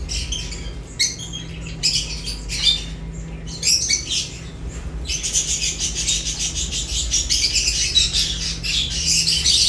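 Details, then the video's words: Lovebirds eating, first isolated squeaky chirps, then a continuous rising chatter of high, scratchy calls, over a low background hum. "Lovebirds unique colors eating and chirps sounds"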